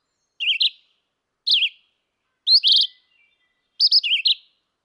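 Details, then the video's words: Short warbled phrases from a red-eyed vireo, four in all, each a quick up-and-down whistled burst, delivered roughly once a second in a quiet setting. "sound of birds Vireo olivaceus"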